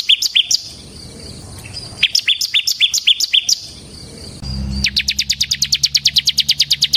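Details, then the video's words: Ciblek semi gacor (bar-winged prinia) recorded as a training and lure song: scattered high chirp groups, then a very fast, even trill of sharp notes over a low hum. "suara burung CIBLEK SEMI GACOR Ngebren Ampuh untuk Pancingan Ciblek Kristal dan Masteran Ciblek"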